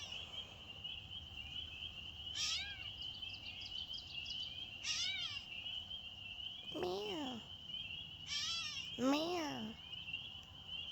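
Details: Catbird mewing like a baby: three nasal, arching mews, interleaved with a person saying deeper 'meow' in imitation, all over a constant high background drone.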